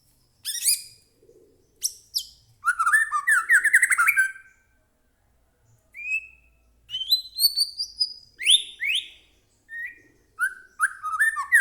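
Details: White-rumped shama in captivity, agitated and singing vigorously, played to provoke another shama into song. Short bursts of fast, tumbling whistles alternate with high, thin, downslurred notes and sharp chips, with brief gaps between phrases.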